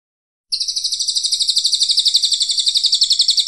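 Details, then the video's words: A brown cililin, recorded as training song for competition birds, sings a fast, high, buzzy trill of rapidly repeated notes, about eight per second, held steady without a break; no other sounds intrude. "CILILIN COKLAT Gacor"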